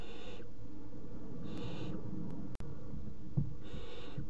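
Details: Three barn owl chicks sharing a mouse at night, 01:30 on 30 June 2016. Softer, airy hissing bursts recur about every one and a half seconds over a low rumbling background, with a brief dropout midway.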